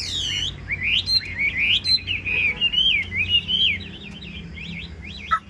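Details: Caged Chinese hwamei singing a varied run of loud, clear whistled phrases, sweeping and warbling up and down, with fast slurred notes and a brief sharp note near the end.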